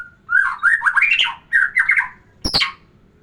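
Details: Murai batu, or white-rumped shama, song used to arouse a female for breeding: loud, fast bursts of slurred, fluty warbling in quick succession, ending in a sharp, high, harsh note.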